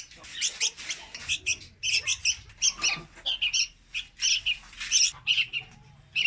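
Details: Young red-whiskered bulbul song used to lure birds into traps: dense run of sharp, chirpy double notes repeated rapidly in lively phrases, with a soft rustle near the middle.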